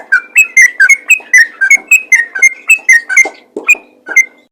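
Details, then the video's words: Yellow-vented bulbul singing the rapid 'ropel' fighter song, said to draw other bulbuls in; a steady string of about fourteen bright, slurred two-tone whistles, roughly two per second, trailing off into lower, looser notes. "BURUNG TRUCUKAN ROPEL GACOR FIGHTER INI COCOK UNTUK MEMANCING TRUCUKAN LAIN"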